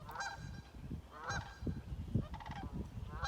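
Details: Sandhill crane in Ontario, the first heard and seen that year, near a field and backyard, giving rolling, trumpeting calls about once a second that carry far, over a steady low rumble of wind.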